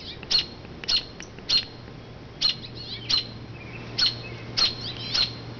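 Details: Robin mother flying from her low nest in an oak to a nearby branch and calling noisily to distract passers-by; repeated sharp, high chirps about every half second, pausing briefly midway, with a faint low hum behind.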